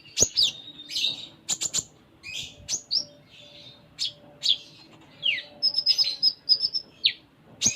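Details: Konin giving gacor song full of isian: varied high whistles, down-slurred notes and short buzzy chirps in quick succession.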